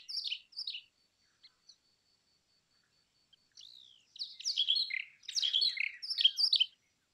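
Brown rock chat giving short, sweet chirps, then a rich, quick warbling run of high twittering phrases; a thin steady whistle hangs in the background.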